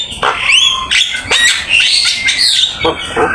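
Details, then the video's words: Javan myna singing a busy, full master song for training songbirds: rising whistled slurs and a long upward sweep mixed with harsh buzzy notes and short clicks, loud and continuous. "Suara jalak kebo gacor !! Full isian ,masteran asik"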